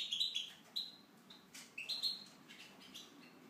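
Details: Tunisian goldfinch in an aviary singing a quick run of bright twittering notes and short rising whistles high in pitch, phrases clustered in bursts with brief pauses, clicks and rustling in the background.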